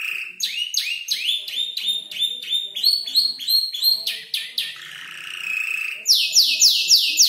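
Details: Young canary near five months old arranging imitated phrases of bar-winged prinia, 'klik-klik' and olive-backed tailorbird; fast varied chirp sequences, a drawn-out buzzy trill, then loud high repeated notes.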